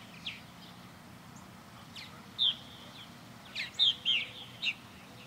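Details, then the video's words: Purple martins flying about a backyard birdhouse, quiet at first, then a few throaty gurgling chirps clustered in the last three seconds. "Blue Sky Back Yard Purple Martins"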